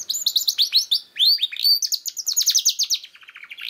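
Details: Canary singing as a prompt for silent young canaries: quick repeated high notes flow into downward-sweeping whistles, then a fast, even trill that fades slightly at the end.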